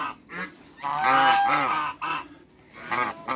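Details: A backyard pair of giant African geese call with rough, brassy honks. One long honk in the middle is followed by shorter honks that rise and fall, with brief quiet spells between.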